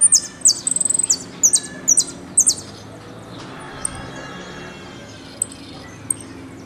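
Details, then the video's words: Argentine goldfinch song in 'golpe y pitadas' style: about two and a half seconds of loud, high, buzzy, stuttering phrases, then near silence with a few faint high chips. "JILGUERO AUDIO "EL MERYL" ( golpe y pitadas)"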